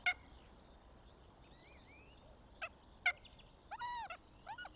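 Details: Northern goshawk at the nest, Tartu, Estonia, 26 April 2025: sharp, rasping notes at irregular gaps, then a drawn-out arched wailing note and a short follow-up, with thin songbird whistles behind.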